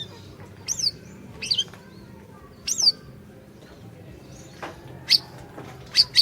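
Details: Spirited orange-bellied leafbird song serving as a lure for a silent bird: bright descending whistles and chip notes early, a pause, then crisp piercing single notes toward the end.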